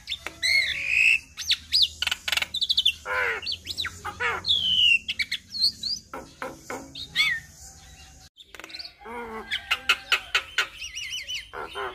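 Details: Javan myna in chatty full song packed with imitated inserts, a recording played to draw replies from other mynas: varied burst of whistled upslurs, harsh buzzy rasps and clicking notes, loud and rapid, with a short pause near the end.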